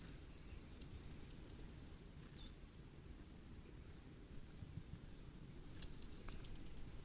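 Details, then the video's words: Common firecrest giving two bursts of very high, fast, evenly repeated thin notes, each lasting over a second, separated by a quiet gap with a few soft, faint chips. "火冠戴菊的叫聲/Sound of Common Firecrest"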